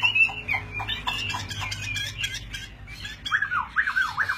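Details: A captive fighting Chinese hwamei (Garrulax canorus) that holds its wings high pours out loud, varied phrases of rich whistles and harsh squawky notes, then rolling, up-and-down whistled slurs, over a low background hum.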